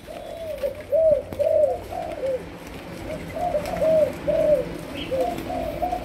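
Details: Young Malaysian spotted dove trained as a decoy, giving softer, spaced, arched coo notes in short bursts separated by quiet gaps.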